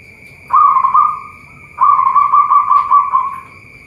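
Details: Zebra dove of a local type, kept at a bird farm in Boyolali, Central Java, sings two quick rolling, burbling coo phrases, a short one then a longer one, each trailing off; a constant thin high whine runs underneath.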